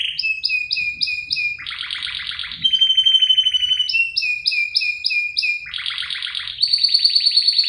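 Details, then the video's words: Canary in gacor isian song, used for luring and tutoring, female drawing a male: varied high phrases alternating short repeated whistles, buzzy rattles and clear sustained trills, the sequence recurring twice. "Pancingan dan masteran burung kenari gacor cengkok isian"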